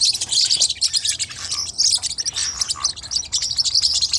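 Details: Forpus parrotlets give a nonstop stream of thin, high chirps and squeaks, several calls overlapping into a lively twitter over a soft low background hum.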